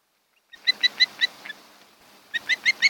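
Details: Osprey (Pandion haliaetus) at a nest on Kent Island, Maryland, 8 July 2018, recorded by a nest camera: two bursts of quick, thin, evenly spaced chirps, four or five notes each, fairly soft against light hiss.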